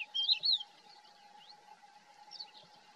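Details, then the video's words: Thekla's lark calling at Hoces del Río Duratón, Spain: a quick burst of two or three fluty, slurred notes at the start, then softer faint whistles, over a steady low hum. "Cogujada montesina llamando"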